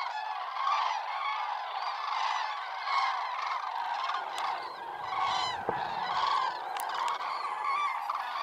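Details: Common Cranes departing in spring as the almond trees bloom, a flock giving its characteristic clamour and trumpeting; dense overlapping loud rolling honks from many birds, continuous throughout with brief low thumps midway.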